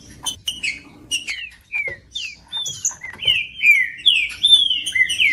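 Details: Green-winged saltator singing to warm up a cold bird. Short, sharp chirps open the phrase, then clear down-slurred whistles build into a faster, louder run of repeated sweeping notes.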